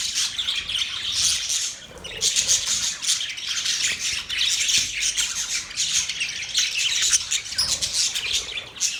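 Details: Steady, raspy budgie warbling and squawky chatter continue throughout, with a short quieter dip near two seconds.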